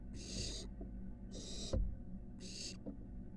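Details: Barn owl nestling at a nest box on a University of Florida building, exploring higher structures; three long hoarse hisses about a second apart, with one sharp knock between them and steady hum.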